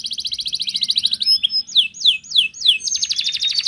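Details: Wild Atlantic canary song meant to prompt singing: a quick rattling high trill, a brief thin whistle, then four ringing downward-sweeping notes evenly spaced, finishing in a dense buzzy trill.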